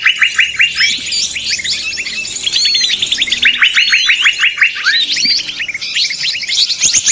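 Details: Small birds chattering noisily together, a sound used to lure birds for trapping; trains of fast chirps alternate with looping whistled notes and high twitters, ending with a sharp click.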